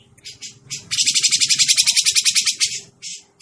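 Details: Grey-cheeked bulbul trapping lure: after a few scratchy introductory notes, a steady two-second rattle of harsh buzzy pulses, about six per second, trails off into single calls.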